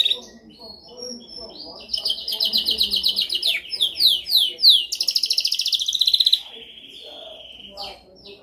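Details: Dominant canary song for training: soft chirps, then a long loud rapid trill, a series of descending slurred notes, another fast rattling trill, and a held high whistle fading out.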